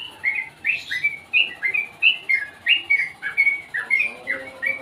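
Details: Sooty-headed bulbul giving a quick chain of bright, bubbly chirps, each note bending downward, delivered in rapid irregular bursts over about five seconds.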